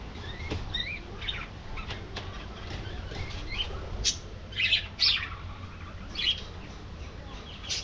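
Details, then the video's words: Budgerigars in a colony aviary: scattered short chirps and warbled squeaks, several birds calling, louder notes near four and five seconds over a low steady background hum. "Budgie Life: Singing, Gossiping, and Hilarious Adventures!"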